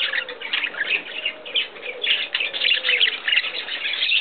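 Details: A male budgerigar feeding his female mate: dense, continuous stream of scratchy chirps and warbles, with a few soft, lower tones underneath.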